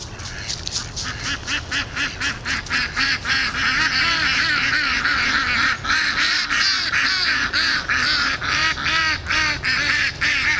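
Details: Indian Runner ducks trapped on a frozen pond, calling loudly together: dense, rapid harsh quacks repeating about three times a second, overlapping in a continuous clamour with strong upper overtones.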